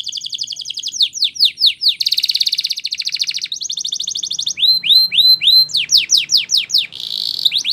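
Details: Spanish Timbrado canary song for training: sweeping slurred notes, a dense buzzing trill, then rising whistled notes repeated about twice a second, ending in quick chirps and a buzzy phrase.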